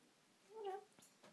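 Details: African grey parrot indoors, a single short voiced sound with a wavering, slightly rising tone lasting under half a second, followed by faint clicks.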